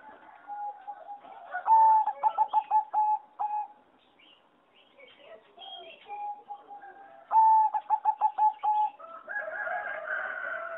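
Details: Competition singing zebra dove in an aviary, its song unlike wild birds': two loud phrases of rapid stuttered coos at one pitch, separated by a quiet gap, with other doves cooing softly at the end.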